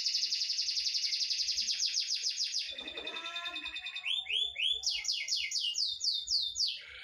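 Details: Canary singing a master song to teach other canaries: a fast high trill that slows into broad sweeps, a brief lower churring passage, then rhythmic arching whistles.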